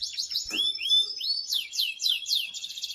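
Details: Excited male canary singing to arouse a female for mating, rising whistled slurs leading into a run of rapid repeated down-swept notes and a buzzy trill.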